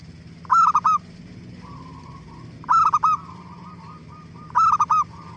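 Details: Zebra dove singing to lure other doves into answering; three crisp phrases of three quick coos each, separated by soft wavering notes, over a constant faint hum.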